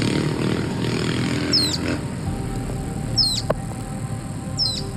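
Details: A Social Flycatcher calls loudly at dusk around 5:55 pm in the dry season near Ostional, Nosara, Guanacaste, Costa Rica: three sharp, high, squeaky notes about 1.5 seconds apart over an insect-like whine and low rumbling.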